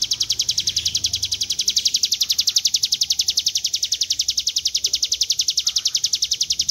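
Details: Hill Prinia, known locally as ciblek gunung, in its long 'ngebren' trilling style for song training: rapid high chattering notes repeated without pause for nearly seven seconds, very regular, over quiet low rumble.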